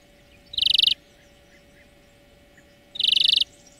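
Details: European greenfinch song from a training recording for cage birds: two short, bright, rapid trills, evenly spaced and separated by a couple of seconds of quiet, with a steady faint hum underneath.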